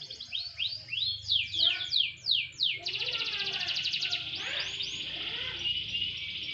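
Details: Canary set out for gentle sunning delivers loud slurred whistles rising and falling, then a long dense trill held steady for over three seconds.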